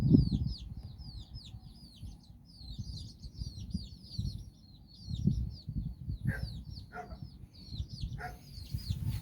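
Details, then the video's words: Hen with nine chicks on a stroll in Bizkaia, Basque Country, the chicks exploring and learning; rapid high downslurred peeps pour out continuously, joined later by a few lower chirps amid gusty low rumble. ""Amatxu" gallina con sus nueve polluelos"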